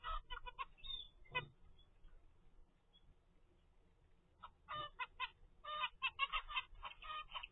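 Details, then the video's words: Baby zebra finch of 25 days, raised in a first captive clutch, calling in rapid bursts of nasal notes, a few at the start, then a dense run of quick calls after a short pause. "zebra finch baby DAY 25"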